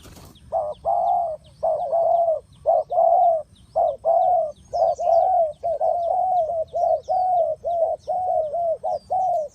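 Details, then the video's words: ['Spotted dove used as a lure for trapping birds: a long, nearly continuous run of hoarse, throaty coos, each slightly drawn out, with faint bird chirps in the background.'] "The Sound Of Spotted Dove is so good"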